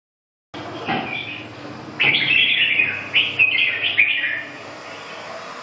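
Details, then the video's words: Red-whiskered bulbul singing: a bright burst of warbled, chirpy phrases around the middle of the range, separated by short pauses, with faint room noise behind. "Chào mào"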